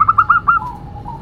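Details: Female local zebra dove, a hobby bird, uttering four or five quick staccato coo notes that end in a drawn-out, slightly falling tone, over a low background hum.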